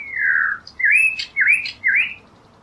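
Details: Blue mockingbird, a Mexican endemic present on both coasts, gives a falling whistle followed by three rising slurred whistled notes about half a second apart, over faint background hiss.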